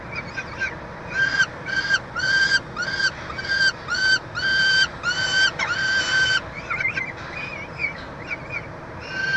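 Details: Peregrine falcons feeding a chick in a nest box at the University of Montreal, Quebec, on 22 June 2023: irregular bursts of strained, harmonic wailing calls, some longer and harsher, with softer chattering notes between.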